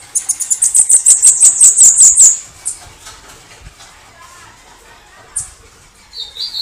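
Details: A canto de foguear from a Bananaquit (sibite, cambacica): a two-second volley of piercing, high, rapidly repeated notes that grows louder, then near silence with a lone high note and a brief lower whistle.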